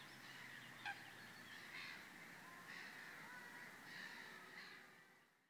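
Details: Repeated nasal, barking calls of a black-winged stilt, recorded 11 June 2016 at Vrbenské ponds by České Budějovice, Czech Republic, roughly one each second, with a brief sharp tick and a low background hum.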